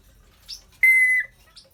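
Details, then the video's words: African grey parrot giving a single clear, steady high whistle held for under half a second, with faint soft chirps before and after in a quiet room. "African grey talking, laughing and burping"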